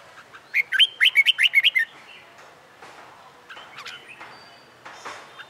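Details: Red-whiskered bulbul in a cage, a wild-caught bird trained for fighting song, delivers a rapid run of about eight loud, rising-and-falling whistled notes, then scattered soft chirps and buzzes.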